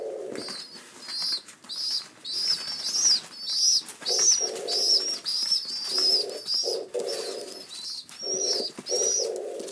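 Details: Hungry pigeon nestlings in care for seven days call for breakfast indoors: a long series of sharp, high peeps in fast pulses, some with buzzy low tones, rising and falling in loudness.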